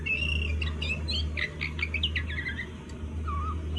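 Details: Juvenile oriental magpie-robin practising song, trying to learn the ngobra style: thin whistled notes and short chirps in an uneven sequence, over a loud steady low hum.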